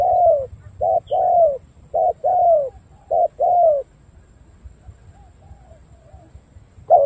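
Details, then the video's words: Đồng gù cooing of a spotted dove from Cà Mau, noted for dark purple legs: three quick short-then-long coo pairs, the long notes falling gently, followed by a silent pause before another coo starts. "Đồng gù bài bản tốt chân tím đen"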